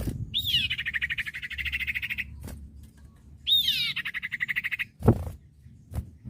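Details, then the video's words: Common iora song used as training audio for caged birds: two long buzzy trills, each opening with a rising whistled note then a rapid rattling series, separated by short pauses, with low thumps. "masteran burung cipoh bahan II masteran cipoh sirtu bahan"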